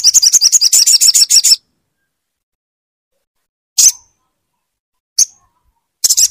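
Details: Crimson sunbird song played to coax a silent bird into singing: a rapid run of high, sharp twittering notes for about one and a half seconds, then silence broken by three brief high chirps.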